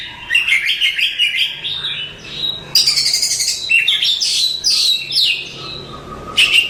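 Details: Oriental magpie-robin, a contest champion bird, singing a varied run of rich whistled and chattering phrases, some buzzy and sharp, changing pitch often with brief pauses between bursts.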